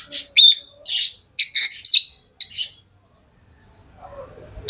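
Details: Pet lovebirds uttering quick strings of shrill, metallic chirps in the first half, then near silence with faint low room noise before one final sharp chirp.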